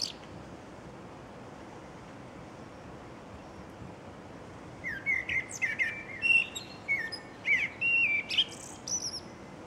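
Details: Silence gives way to a single common blackbird phrase of rich, jumping whistled notes, followed by scratchy high-pitched twitters at the close, with faint steady background hiss throughout.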